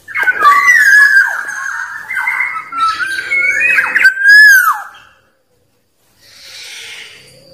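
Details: Wild black-naped oriole singing to call out rivals; a long string of rich, slurred whistles with a rasping edge ends in a clear falling note, followed by quieter hissy background.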